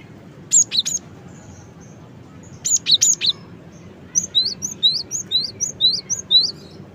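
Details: Cinereous tit (gelatik batu) singing energetically: two bursts of high whistled notes, then a run of quick rising two-note phrases repeated steadily, clear against a quiet background.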